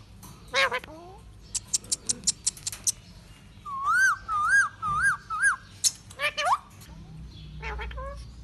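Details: Pet lutino yellow Indian ringneck parakeet indoors: a harsh screech, a run of sharp clicks, then a series of four wavering, warbled whistles rising and falling, ending with another rough squawk.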